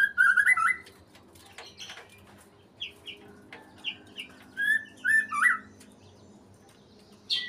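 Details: Breeding-condition white-rumped shama: loud ringing phrases of fast twittered and slurred whistles, separated by pauses with softer chips, against a low background hum.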